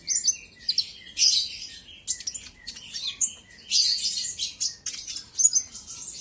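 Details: Olive-backed sunbird singing as a lure to goad rival birds: repeated bursts of shrill, scratchy twittering with thin sustained whistles between them, all very high in pitch.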